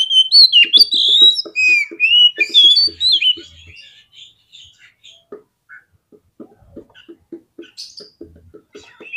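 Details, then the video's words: Oriental magpie-robin (kacer) song used as a lure to provoke other birds into fighting mood: varied loud whistled phrases, rising and falling and slurred, for about four seconds, then quieter faint low clicking pulses in the background. "SEKALI PLAY KACER KALIAN PASTI LANGSUNG NGOBRA !!! KEPANCING EMOSINYA FULL FIGHTER"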